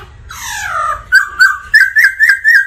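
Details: Black laughingthrush singing energetically: a long sliding, descending whistle followed by a run of short, loud, repeated whistled notes.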